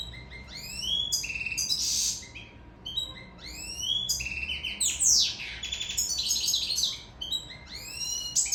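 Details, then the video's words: European goldfinch of Sicily, in love, singing bursts of bright twittering notes, rising slurred whistles and harsh buzzy trills, phrases separated by short gaps, with a faint electrical hum behind. "Favoloso canto cardellino siciliano in amore"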